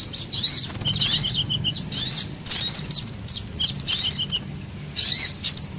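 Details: Sunbird lure calls meant to attract birds: loud, very high chattering phrases with quick rising and falling whistled notes, broken by a few short pauses.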